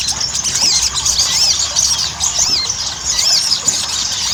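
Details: Ruby-cheeked sunbird in continuous chattering song, used as a lure to get other sunbirds singing quickly: thin, high arched notes and rapid twittering phrases run on without pause, with a faint hiss behind.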